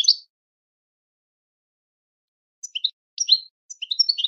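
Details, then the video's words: European goldfinch song used for training birds to sing: a lone high chirp, a pause, then quick bright twittering notes, chirps and short trills building toward the end. "goldfinch singing training your goldfinch to sing on command"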